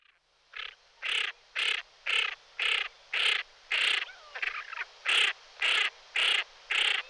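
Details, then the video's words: Common pochard giving a steady series of about a dozen harsh, rasping, growled bursts, each roughly half a second long and repeated about twice a second; one softer, mixed burst midway. "Aythya ferina"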